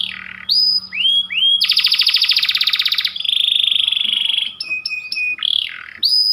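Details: White panda canary in full, insistent song: upward-curving whistled slurs, a long dense rattling trill, a smooth sustained whistle and sharp clipped notes, all bright and high-pitched, with a faint steady hum underneath.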